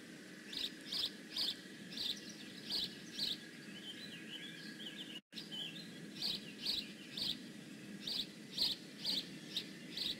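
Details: Bald eagle at the Decorah North nest on 15 May 2017, giving a long run of short, high, scratchy chirps roughly twice a second, briefly cut by a moment of silence midway, over a faint steady whine and low background rumble.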